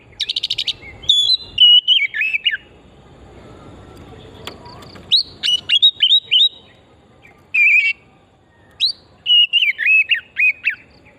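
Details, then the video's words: Oriental magpie-robin, vigorous singer on a recording used as a lure for stimulating song: a rapid buzzy trill opening into rich, downslurred whistled phrases, repeated in bursts after a quiet interval with faint background noise. "Pancingan burung kacer pesona hutan murni gacor"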